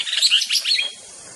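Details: White-rumped shama (murai batu) singing a burst of bright, high chirps and short whistled notes that tumble rapidly, then fall silent, with a faint steady hiss behind.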